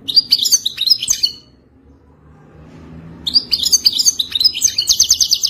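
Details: Wild European goldfinch in the authentic Wadani singing style, a song for mating: rapid high twittering with tinkling, buzzy notes in a dense burst, then about two seconds of quiet with a faint low hum before the twittering resumes.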